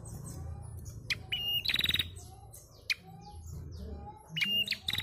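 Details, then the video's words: Female bar-winged prinia giving her male-stimulating call: two bouts of a brief piping whistle leading into a quick stuttering buzzy trill, separated by a quieter pause with faint background hum and scattered ticks. "Suara Prenjak betina untuk merangsang bunyi prenjak bahan"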